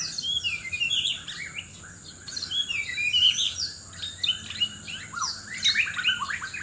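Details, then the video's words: ['White-rumped shama from Sabah, Borneo, in a loud singing duel while seeking a mate: high, sweet whistled phrases and rapid chirps in short bursts, pauses between them, over a steady high whine.'] "Murai batu Sabah: aksi mencari pasangan lawan suara keras"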